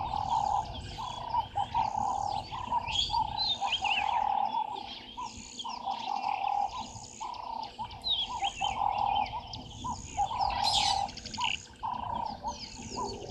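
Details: Burchell's starlings at Gowrie dam waterhole, Djuma Game Reserve, Sabi Sand, South Africa, 08:00 on 14 March 2023, give throaty, gurgling chatters and squeaky whistles over a steady mid-pitched pulsing chorus, perhaps frogs, throughout.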